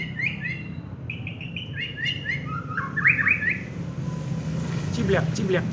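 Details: Prize-winning contest white-rumped shama in full song: repeated paired whistles, then quick tumbling phrases of sweet, slurred notes. A constant low background drone is heard throughout, and a few sharp clicks come near the close.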